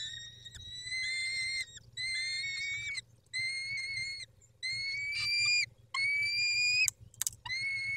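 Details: Male peregrine falcon with the females at their nest, 19:40 on 23 May 2021: steady, whining wails about a second long, slightly upslurred at the end, repeated roughly every one and a half seconds.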